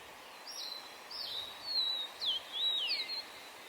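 Yellow-bellied tit giving a string of thin, high, slurred notes, some rising and some falling, about six in under three seconds over a faint steady hiss.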